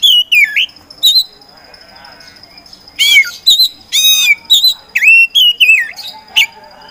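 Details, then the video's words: Caged Oriental magpie-robin, a competition songbird, sings loud downslurred and wavering whistles mixed with harsh buzzy bursts, separated by short pauses, over a faint steady high tone. "KACER POCI GACOR SANG PROVOKATOR"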